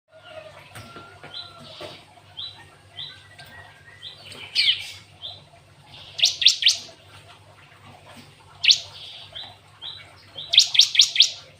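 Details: Cinereous tit (glatik watu) singing a song fully filled with canary-style phrases: scattered short high chips, then bursts of four or five rapid piercing high notes repeated every two seconds or so, with a low steady hum underneath.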